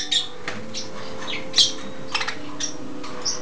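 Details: Three young budgies, hatched in October (one blue English budgie, two green), eating corn and wheatgrass indoors, give scattered short, scratchy chirps and squawks over a steady low indoor hum.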